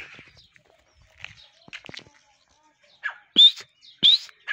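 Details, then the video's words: Desi partridge: soft scattered chirps and clicks at first, then two loud, piercing whistled notes that rise steeply, spaced about a second apart. "Teetar ki awaz"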